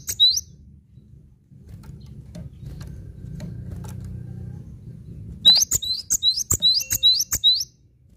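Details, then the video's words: Cinereous tit in steady full song: after a brief opening note and a stretch of low rumble, a run of about seven rhythmic, high, two-part ringing notes repeated quickly and evenly, with soft clicks and low background noise. "Masteran Gelatik Batu Gacor Mantap"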